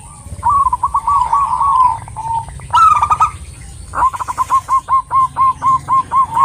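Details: Local zebra dove female calling a male: a rolling, trilled coo phrase, then a louder burst, then evenly spaced short coo notes repeating about twice a second over faint hum.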